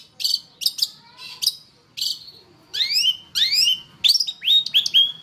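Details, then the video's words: Long-tailed shrike in a training master recording: scattered high chips at first, then loud rising whistled sweeps that end in a steady high tone, repeated several times. "Masteran Suara Pentet Cendet"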